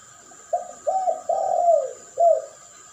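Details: Spotted dove in a duet lure recording used for training and attracting doves: four short low cooing notes, the third longest and sliding downward, against a steady faint high hum.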